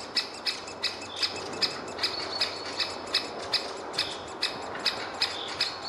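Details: Great spotted woodpecker nestling with its parent at the nest hole, giving an insistent run of high, clipped chirps, about two and a half each second, fairly even in pace, with a quiet background hum.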